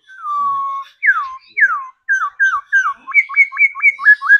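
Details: Trained laughingthrush in a cage: a long level whistle, two steep downward slurs, then a rhythmic series of about ten short rising-falling whistled notes repeated quickly.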